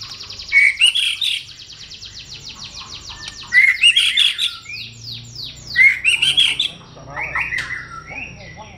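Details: White-rumped shama song in three phrases, each opening with bright whistled notes and breaking into rapid, rattling runs of sweeping notes, with a thin steady high tone throughout.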